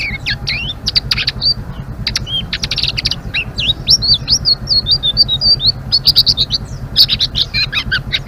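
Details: Rapid ngeriwik song of a Blue-winged leafbird: dense bursts of sharp clicking chirps mixed with bright, rising and falling whistles, delivered almost without pause over a low droning background.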